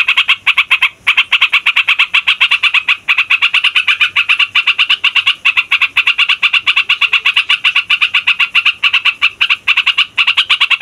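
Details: Yellow-vented bulbul rolling on continuously, a song used to lure wild bulbuls and make young or lazy birds start singing: dense rapid rasping notes with only one short pause near one second.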